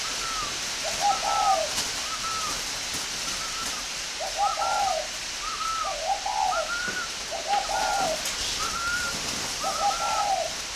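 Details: Spotted doves at a breeding aviary in Ba Vi, Hanoi, northern Vietnam: low rounded coo phrases repeated every couple of seconds, overlapped by higher, thinner short notes, with background hiss.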